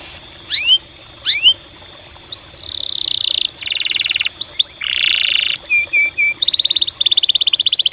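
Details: Canary song used as a lure to stimulate other canaries to sing. Two sharp upward-sweeping whistles open it, then loud buzzing rolls, fast trills and a short series of repeated clear notes follow in quick succession.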